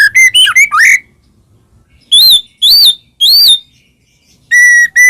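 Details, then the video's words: White-rumped shama singing to prompt other shamas to answer: quick looping whistled phrases, then three loud, pure, slurred whistles about half a second apart, ending in two flat steady whistles. "masteran burung murai mewah"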